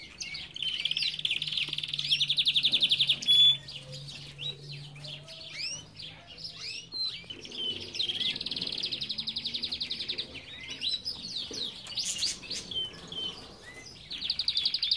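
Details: Aviary of Belgian canaries in full song: long buzzing high trills lasting a few seconds alternate with bursts of sharp chirps and slurred notes, many birds singing together, a faint low hum beneath.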